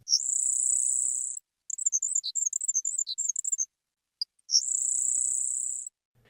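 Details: A Grasshopper Sparrow sings in open grassland in eastern Ontario, where early to mid-June is peak singing time, giving two long, very high, insect-like buzzes separated by a rapid jumble of thin, squeaky tinkling notes; no other sounds.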